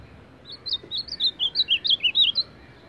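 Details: Clean, loud Ultramarine grosbeak song in the baderna style from a champion bird: some fifteen quick sweet whistled notes, each a short upward or downward flick, tumbling steadily for about two seconds over a quiet background.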